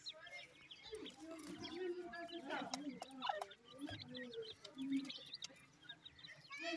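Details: Grey francolin (teetar) chicks feeding at night: short high chirps and peeps in scattered bursts over low clucking notes, with murmuring voices in the background.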